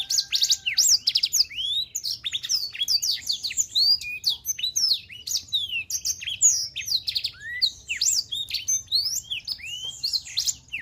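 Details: A black-throated canary sings a fast, continuous twittering song of high, sweeping whistles and chirps, with hardly a pause throughout.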